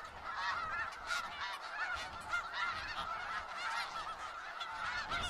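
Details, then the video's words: Snow geese flock in Skagit Valley, constant overlapping honks and barks forming a dense chorus, no single bird dominating for long. "Sounds of Snow Geese"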